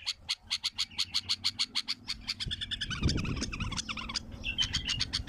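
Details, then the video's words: Wild bulbul singing: a fast run of sharp, evenly spaced clicking notes, about five per second, breaks into a denser jumble of quick varied twittering and a short whistled phrase near the end. "اقوى تغريد بلبل وحشي"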